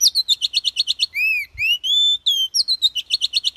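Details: Oriental magpie-robin in wild-type 'kéo thuốc lào' song style, used to spur weak newly caught birds: rapid repeated sharp chirps, then long pure whistles sliding up and levelling, then the quick chirping series returns.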